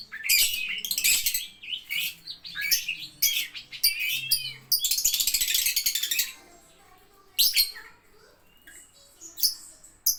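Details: Lovebird in ngetik-style song: fast high chatter and sliding squeaks for about six seconds, then a quieter stretch with only occasional sharp chirps.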